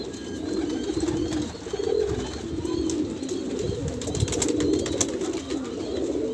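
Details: Banarasi Kalsera pigeons for sale in Allahabad, India, coo in an overlapping, throaty chorus. Rounded low phrases rise and fall every second or so, with a few faint higher chirps and short rustles.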